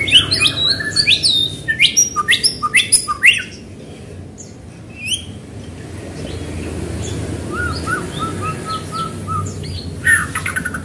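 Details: White-rumped shama singing to stir other shamas: dense burst of loud sharp whistles and chattering notes for about three seconds, then quieter scattered whistles and a soft repeated low chirping series, over background hum.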